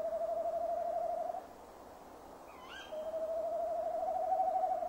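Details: Male tawny owl at a nest box at 17:10 on 15 December 2015, calling while waiting for a female who does not come, gives two long, low, quavering hoots on one steady pitch, with a brief high chirp between them.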